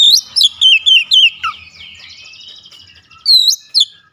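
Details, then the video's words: Kacer, the Oriental magpie-robin, singing beak wide open with hot 'tembakan' shots: a string of loud, looping whistles, each dropping and rising, then a drawn-out buzzy trill fading away, before a fresh pair of sharp whistles. "KICAUAN KACER BUKA PARUH LEBAR TEMBAKAN PEDAS"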